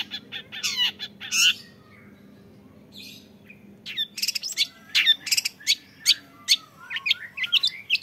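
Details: Young long-tailed shrike giving bursts of harsh scratchy notes, then a pause, then a quick varied run of sharp high chirps and whistles, over a low steady hum.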